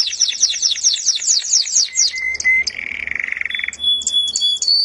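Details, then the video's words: A canary in sweet song delivers fast descending chirp strokes, then a brief clear whistle and a lower rattling trill, finishing with scattered high notes. "suara burung kenari merdu"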